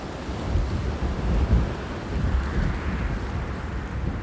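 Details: Spring weather in Bavaria, with deep rumbling wind and rain noise swelling and easing throughout and no animal voices heard.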